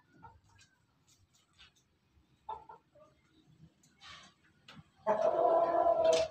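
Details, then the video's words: A Pelung rooster bursts into a loud, drawn-out crow with a steady mid-pitched tone, cut off early, after a few seconds of faint scattered clucks and rustling. "ayam pelung berkokok"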